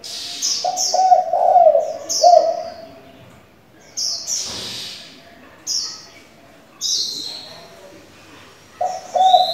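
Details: Spotted dove used as a decoy bird, with varied calls for stimulating and training young doves: low, hollow coos in two bursts, with sharp high chirps from other small birds scattered throughout.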